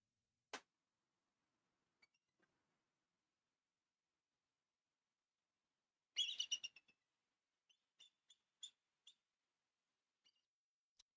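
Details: A bald eagle (Haliaeetus leucocephalus) gives a quick burst of thin, high, chittering notes, then a few scattered squeaky piping notes, after a single sharp click.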